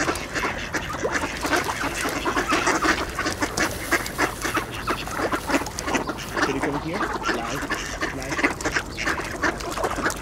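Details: A crowd of mallard ducks with Eurasian coots and two swans at a thawing ice hole in late winter, quacking over one another for position in a feeding frenzy on scattered seed, with harsh nasal calls and splashing.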